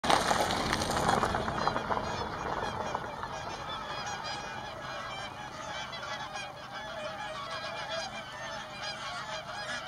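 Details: Thousands of swans resting and feeding on fields at lake Tysslingen, Örebro, Sweden, in spring after a long migration; a dense chorus of overlapping honking calls, loudest in the first three seconds, over a steady background hum.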